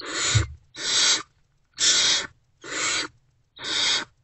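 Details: Hungry Great horned owl owlets in a nest box at about 5:30 am, 3 March 2024, answering an adult's return with five steady, breathy screeching hisses, roughly one per second.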